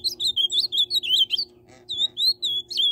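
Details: Ultramarine grosbeak song: clear whistled phrases of sliding, warbling notes, short bursts separated by brief pauses, with a steady low hum behind.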